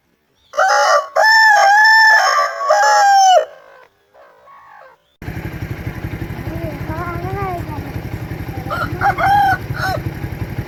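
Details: Crowing of an Aseel rooster: a long, loud, raspy crow lasting about three seconds, quiet trailing notes, then a second, more distant crow over a steady engine-like hum and background noise.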